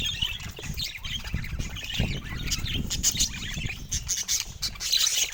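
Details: Budgerigars giving a dense, busy stream of high chirps, squawks and warbling chatter, with a steady low rumble of background noise underneath throughout.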